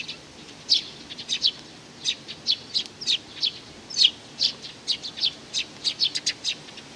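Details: Young sparrow calling with short, high chirps repeated irregularly, about twenty sharp notes over seven seconds against a quiet background.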